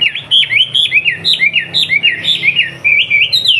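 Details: Master song of a kept Wambi from Surabaya, meant for tutoring juvenile bulbuls: rapid, chattering whistled phrases packed closely together, zigzagging in pitch without pause.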